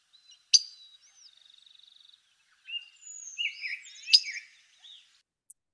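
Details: Blue grosbeak giving its typical pick call, made on the ground rather than in flight: two very sharp, metallic notes about three and a half seconds apart, with a high rapid trill and chattering, whistled calls from other birds between.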